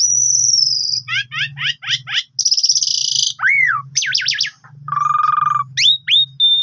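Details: Asian pied starling song played as a lure to set other birds singing and as a tutor for them: high steady whistles, quick runs of descending notes, a harsh buzzy burst, and a lower rising-falling whistle, all over a constant low hum.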